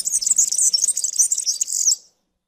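European serin song: a fast, high-pitched jingling stream of buzzy, tinkling notes lasting about two seconds, then stopping abruptly.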